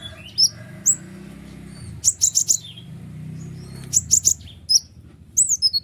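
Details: White-winged triller song used as tutor recording for kolibri ninja and other trillers: sharp, rapid high chirps, paired downslurred notes and tight bursts of three or four clipped notes, with a low background hum.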